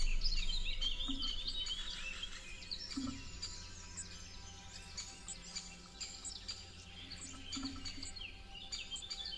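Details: Hawfinches, first-time visitors to a newly set-up bird feeder at a forest edge, giving sharp, clipped tick calls in quick succession, mixed with high twittering from other small birds over a steady low rumble.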